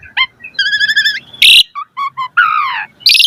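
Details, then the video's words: Asian pied starling (jalak suren), mompa-variety song used for training: a held warbling whistle, short clear notes, a rough descending phrase and harsh bursts, with some gaps. "Pancingan Jalak Suren Full Variasi Mompa - Masteran Suara Burung Jalak Agar Gacor Full Isian Mewah"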